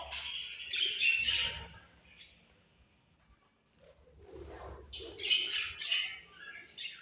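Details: Budgies chirping in two loud bursts of scratchy warbled chatter and high chirps, separated by a quieter stretch of faint notes, a low hum running throughout.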